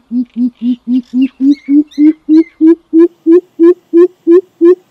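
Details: Greater coucal lure call: about seventeen deep hollow hoots in an even, rapid rhythm, edging upward in pitch through the series. Brief high bird chirps are heard faintly early on.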